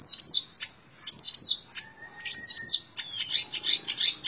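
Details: Long-tailed shrike in 'tembak ngebren' style song: bursts of high, scratchy, falling notes separated by short pauses, interspersed with a thin, level whistle and a dense run of rapid high notes at the end.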